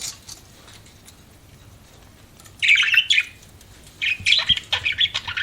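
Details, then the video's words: Budgerigars kept as pets: near quiet at first, then a short burst of bright, scratchy chirps, a pause, and a second run of quick high chirps and squeaks to the end. "BUDGIES CHIRPING SOUND"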